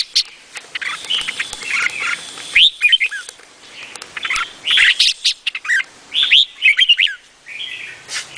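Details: Song of a red-whiskered bulbul, Vietnamese type: bubbling whistled phrases alternate with clusters of crisp chirps. The phrases come in uneven bursts separated by brief quiet gaps.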